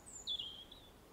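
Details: A robin in an English garden gives an aggressive song fragment: a faint very high note, then a sharper high whistle that slides downward and fades, over soft background noise.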